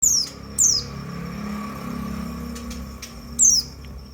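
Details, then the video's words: White-eye call used to stimulate other white-eyes: three thin, high notes sliding downward, two close together at the start and one near the end, over a faint low hum. "perangsang semua burung pleci"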